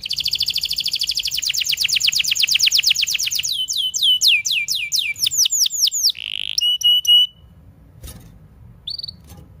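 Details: Canary singing for training young birds and canaries that have gone quiet; a dense rapid trill turns into slower downward-sweeping notes, a short burst and clipped whistles, then near silence with one brief note.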